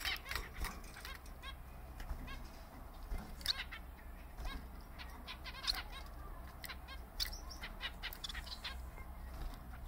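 A Bengalese finch gives a scratchy, irregular chatter of short high clicks and chirps, with wing flutters over a low room hum.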